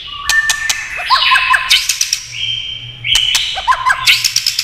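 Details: White-rumped shama, roused by tail-tapping clacks, sings two phrases of held whistles and quick falling notes, punctuated by sharp clicks.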